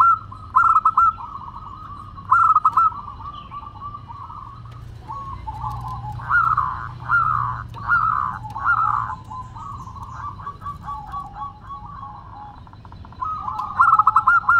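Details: Local zebra doves in vigorous crystal-voiced song: bursts of rapid, bubbling staccato coos. They come at the start, in a long run midway and again at the end, with softer cooing from other doves between.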